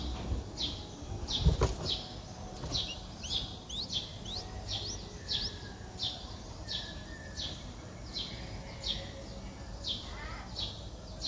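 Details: Streak-eared Bulbul nestling aged four days, recorded in Ubon Ratchathani, Thailand, on 6 April 2023. Sharp rising chirps repeat in a brisk irregular series, with a loud click or knock near the start and a soft rumble underneath.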